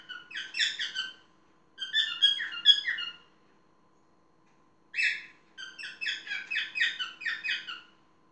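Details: Pet parrot indoors giving bursts of harsh, stacked chattering notes, run in quick series. Three phrases are separated by pauses, and one short sharp squawk stands alone between them.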